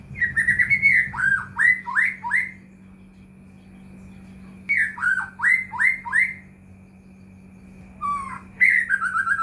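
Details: White-rumped shama song used as a lure for caged shamas, with bursts of quick rising and falling whistled notes separated by pauses of a few seconds, over a low steady hum.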